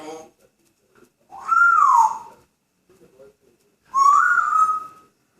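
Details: Grey parrot kept as a pet, cheerful, whistling indoors: two clear whistles, the first rising then falling, the second rising and held steady, separated by about two seconds of quiet.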